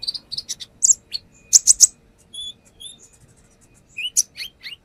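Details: Konin, or brown-throated sunbird, as lure song with its varied phrases: fast high twitters and piercing chips, a thin drawn-out whistle, soft high notes, then rising squeaky slurs at the close.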